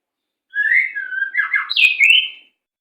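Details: White-rumped shama song in 'macet sepid rapat' style for training captive birds: a single two-second phrase of flowing whistles, starting low and smooth, turning into a jumbled warble, then rising to a bright high ending.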